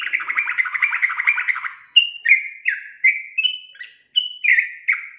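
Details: Yellow-vented bulbul in full song, opening with a dense, rattling chatter, then a series of clear, loud whistled notes that slur downward, repeated at a brisk pace.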